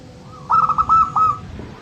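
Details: Zebra dove of a local type, meant to prompt quiet birds to sing: one rapid, staccato burst of rolling trilled notes ending in a slightly longer held coo, over low hum.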